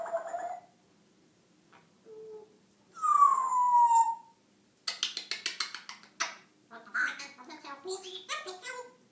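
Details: African grey parrot making funny noises indoors: a low hoot, a long loud descending whistle, then rapid clicking, popping and chattering sounds in quick irregular bursts.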